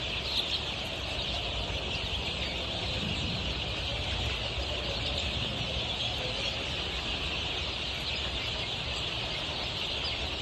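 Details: Twenty-three-day-old Golden Misri chicks on a poultry farm in Pakistan: a dense, steady chorus of high peeps from many chicks, with a low mechanical hum underneath.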